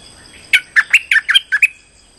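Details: Lure call of a streak-eared bulbul, used to attract birds for trapping: a lively run of seven harsh, bubbly chirps alternating higher and lower notes over about one second, in quiet surroundings.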